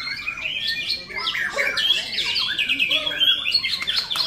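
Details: White-rumped shama singing at a bird singing practice contest: dense, varied whistled and chattering phrases, quick rising and falling notes layered over one another, with other birds singing close by.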